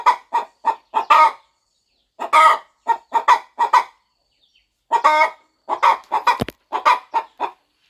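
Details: A brooding hen on a farm clucks softly while preparing to hatch her eggs on the nest. Runs of short, evenly spaced clucks are broken by longer drawn notes. One sharp click is heard near the end.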